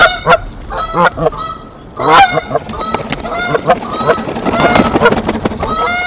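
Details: Canada geese, a mated pair defending their nest against an intruding female goose in early April; loud, harsh overlapping honks in irregular bursts, with some squabbling noise between calls.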